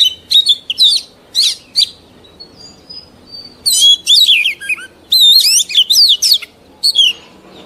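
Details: Oriental magpie-robin, an old wild-caught adult, singing a varied run of bright whistled phrases that slur up and down, in bursts broken by short pauses, with a faint low hum beneath.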